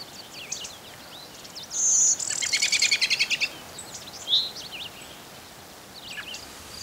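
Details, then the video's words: Blue-winged Warbler (Vermivora pinus) singing in thickets and meadows of Westmoreland County, Pennsylvania: a thin, high inhaled note, then a lower, rough buzzy trill, with scattered high chips from other birds around it. "Blue-winged Warbler singing"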